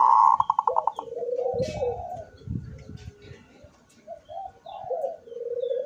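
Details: Zebra dove singing with its beak wide open, recorded 24 September 2023: a fast staccato run of bright pulsed notes opens, then mellow rolling coos waver and fall, with faint clicks and rustling underneath.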